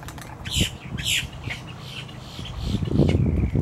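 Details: A boat-tailed grackle calling on 10 October 2022 gives two loud, harsh squawks about half a second apart, then softer rasping notes over a low background rumble.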